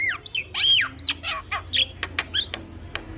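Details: Javan myna song used as a lure and tutor recording to stir a quiet myna into singing: sharp rising and falling whistles alternating with short harsh, buzzy bursts in a quick, irregular run.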